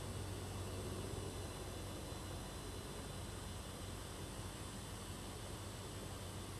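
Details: Continuous engine or aircraft drone with a low hum covers everything, and no animal voice is heard.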